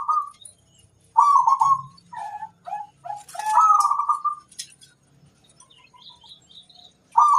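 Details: Zebra dove from local stock singing kerot koar to encourage breeding readiness in other doves: a series of brief purred coo notes building into a longer rolling trill, with scattered high chirps and a soft low hum.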